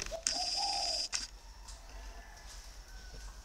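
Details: Caged male spotted dove from northern Vietnam with a deep 'thổ' voice. One coo phrase, a short note and then a longer rolling coo, over a loud steady high-pitched whine, followed by quieter background noise.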